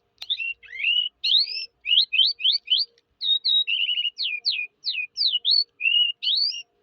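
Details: Eurasian skylark singing: a fast run of short chirps, slurred upward notes and brief trills, high-pitched and varied, with scarcely a pause for about seven seconds; no other sounds.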